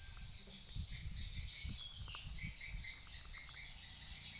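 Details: Swiftlets at a swiftlet house twitter in a dense, high, chirping chorus of overlapping short notes, over a low rumble of wind or handling noise.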